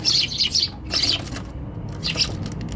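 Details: Eurasian tree sparrows on a balcony, January 2021, scattering suddenly: sharp chirp bursts, a brief gap, then a few more chirps and flutter noise.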